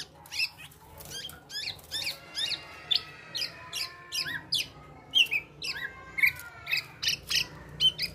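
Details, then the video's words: Singing male black-naped oriole mimicking other species: high chirped notes delivered in quick succession, each a sharp downward flick, spaced roughly every half second over a faint background hum. "Gocor Aneh Kepodang Emas,Bisa Menirukan Suara Burung Lain."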